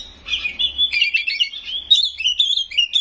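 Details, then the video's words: White-rumped shama singing a short run of sweet, slurred whistles that step up and down in pitch, continuous and loud, with a faint low rumble in the background. "Suara Burung Kacer Gacor full isian Nembak"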